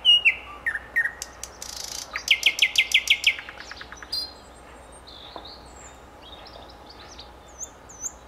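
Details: Common nightingale singing. A few slurred whistles lead into a rapid, even trill of repeated notes that fades out, followed by sparse thin high notes over quiet background.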